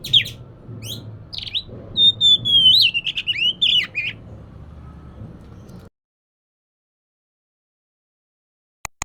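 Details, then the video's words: Oriental magpie-robin singing, a recording meant to lure an idle bird into song: a few sharp chips, then a run of clear sliding whistles and warbled notes for about four seconds, followed by low hum, then silence. "Kacer malas bunyi❓Pancing saja pakai ini pasti nyaut ikut bunyi"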